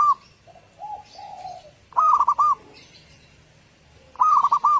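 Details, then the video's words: Local zebra dove song used as a lure to set other doves singing, meant for morning play: two bursts of four or five quick, looped, bright cooing notes, separated by softer, lower, drawn-out coos. "Pancingan suara burung perkutut lokal, suara perkutut Pikat"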